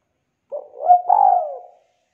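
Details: Spotted dove in full voice, played as a lure to get reluctant birds singing: one soft introductory coo followed by a drawn-out, slurred, gently falling hoot in a low mellow pitch.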